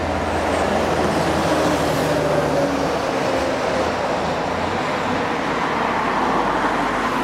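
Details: Steady roar of road traffic with cars and a bus passing, and no animal voice heard.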